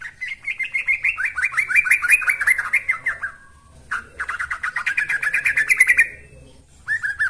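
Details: Yellow-vented bulbul singing vigorously, used as a lure and tutor song for training birds: two long bursts of rapid bubbly, slightly descending chattering notes, about three per second, separated by a brief pause, with a short phrase at the end and a faint thin high tone above.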